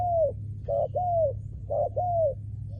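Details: Spotted dove, a trained decoy bird for ground trapping, giving clear cooing. A long arched coo is followed by two phrases, each a short burred note and a drawn-out falling coo, over a low hum.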